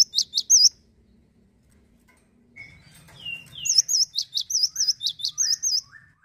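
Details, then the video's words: A male Cinereous tit sings energetically: high, bright repeated notes, then after a pause slurred descending notes leading into a quick run of wavering phrases, about three per second. "GACOR TANPA PEMANIS BUATAN,GELATIK BATU JANTAN LOSSDOL"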